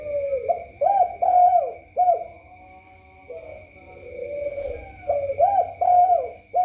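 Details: Spotted dove (tekukur) giving mellow cooing phrases: clipped, rising-and-falling coo notes in quick groups alternating with longer smooth hums, over a steady high-pitched whine.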